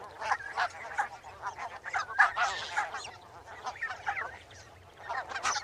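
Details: Barnacle geese giving short, nasal, yelping barks, overlapping calls from several birds at a moderate volume, with a few brief gaps between bursts of chatter.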